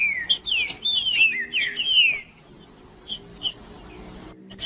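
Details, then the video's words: Male green-winged saltator singing to stimulate other birds: two seconds of continuous rolling whistled phrases sweeping up and down, followed by quieter scattered chips. "Trinca ferro cantando Para Esquentar Trinca ferro"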